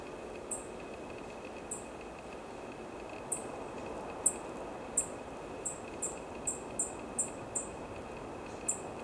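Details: In Chiba Prefecture, Japan, on 29 December 2020, a black-faced bunting gives thin, very high sharp "tsip" calls, spaced at first and then repeated about every half second, over a steady background hiss.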